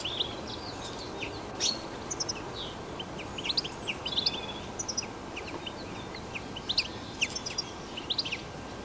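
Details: European goldfinch in nature, wild, delivering quick bursts of high, tinkling twitters and clipped chirps, interrupted by a few clicks, against a steady hiss.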